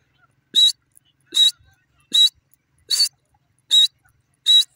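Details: Grey francolin calling: six harsh, broadband notes with a ringing tonal core, each about a fifth of a second long, repeated steadily at roughly one per second against a silent background.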